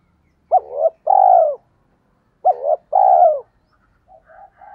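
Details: Spotted dove luring wild doves gives two matching coo phrases about two seconds apart, each a quick double coo and a long falling note, followed by a few quiet soft coos.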